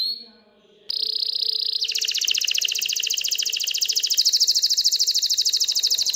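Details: Excited canary singing to stimulate hens to mate and build a nest; a brief steady whistle gives way to a long, very fast, high rattling trill.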